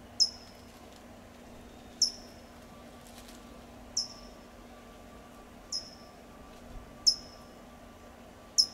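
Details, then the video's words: California towhee in Del Monte Forest, California, calling a series of seven sharp, very high tsip notes, each a quick descending chip, spaced one to two seconds apart over a quiet hum. "California Towhee’s Call"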